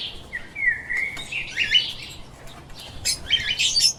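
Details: Lovebirds kept as pets chirp. A drawn-out falling squeak gives way to bursts of sharp, high, scratchy chirps, then a tight cluster of shrill notes near the end over a quiet hiss.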